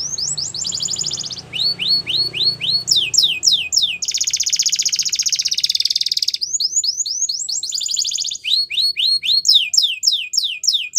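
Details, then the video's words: Singing Belgian canary, recorded for training young canaries. Bursts of descending slurred whistles alternate with a long, dense, even trill in the middle. Faint low rumbling sits under the opening seconds. "Belgian Canary Singing"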